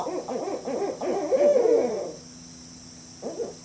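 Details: Barred owl: a quick string of clipped, rhythmic hoots that runs into one longer wavering, descending note. Quiet follows, then a short pair of hoots near the end.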